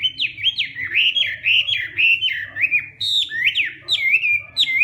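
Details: Loud morning training song of a Hwamei, in fighting style: continuous chain of sweet whistled notes, each swooping up then falling, delivered at a lively steady pace with a slight jump in pitch midway.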